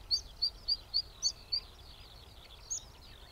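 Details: Zitting cisticola song, recorded with a Sony A7R4A camera and 200-600mm lens: sharp, high 'zit' notes repeated about every quarter second, six in a row, then a pause and one more note, over faint low background noise.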